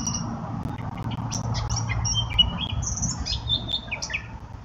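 Eurasian blackcap singing a fast, varied warble of sweet, high notes and quick flourishes over a steady low rumble of background noise.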